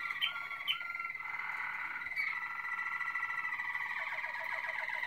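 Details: Malinois Waterslager canary giving a few sharp high notes, then a long, even, water-like rolled trill with sustained whistled tones, finishing with a faster rippling phrase.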